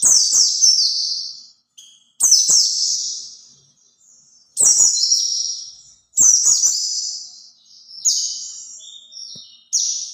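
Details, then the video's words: Song of a white-eye, played as a lure for other white-eyes: five or six high, thin phrases of rapid falling twitters, each about one to two seconds long, separated by clean silent pauses. "kicau pleci buat pancingan pleci lain"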